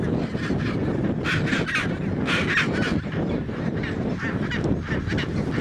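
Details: Chinstrap penguins mating in Antarctica, loud bursts of raucous, braying calls in short repeated pulses around two seconds apart, backed by constant wind rumble and distant colony noise.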